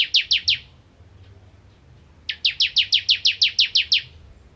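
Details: Bar-winged prinia singing hard in 'nembak ngentrok' fashion: three quick high downslurred notes end one phrase, then after a gap a new burst of about ten fast, evenly spaced, piercing notes.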